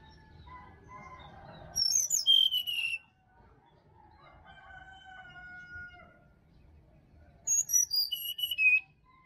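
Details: Sirdadu in wild Bali forest, two bursts of bright whistled notes about six seconds apart. Each burst steps down in pitch from piercingly high to mid-high. Quieter whistles from other forest birds fill the gaps.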